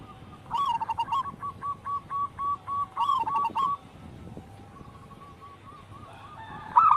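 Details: Actively singing local zebra dove: a run of short repeated coo notes with a brief rolling flourish, then near quiet, then one loud note at the end.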